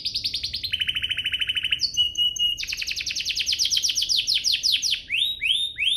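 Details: Song of a canary meant to encourage other canaries to sing, shifting through fast rattling trills at different pitches, a short steady whistle, then a run of rapid descending sweeps and a few slower rising slurs.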